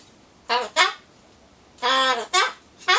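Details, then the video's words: Pet Solomons corella babbling to itself before being given pumpkin, producing short nasal word-like syllables in pairs with gaps of silence between them. "ソロモンオウムたろちゃん カボチャを待ってる間のひとり言"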